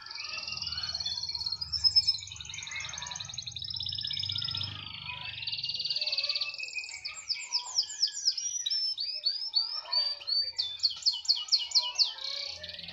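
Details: Canary in continuous lively song, described as singing steadily wherever its cage is placed, including hung high; long high trills and rapid repeated notes, brief low hum early on and a man speaking just before.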